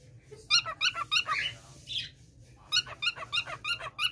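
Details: Year-old male pet cockatiel kept indoors repeating a printer-like "piku piku" sound: rapid harmonic chirps at about three per second in two bursts, with a brief harsher squawk between them and a low indoor hum beneath.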